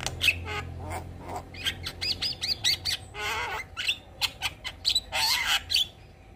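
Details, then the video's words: Javan myna in energetic song, bobbing its head as it sings: harsh, squawking notes with rich overtones, interspersed with short scratchy chirps and clicks in uneven bursts, over a low background hum. "Kicauan Jalak Kebo gacor Full Isian Manggut2"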